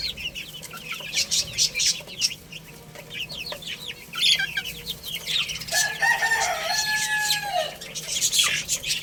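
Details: Chicks playing and eating, quick high peeps about four per second, then a longer lower drawn-out call from an older bird among the chirping.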